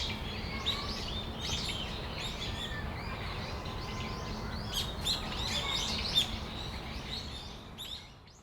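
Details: Brown-eared bulbuls in Tamagawadai Park on a December afternoon, giving dense overlapping high chirps and sharp notes with scattered louder calls, over a steady low background rumble.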